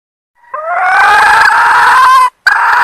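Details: Female red junglefowl from Sumatra calling to attract males: one long, drawn, slightly rising nasal call lasting nearly two seconds, then a short break and another harsh burst.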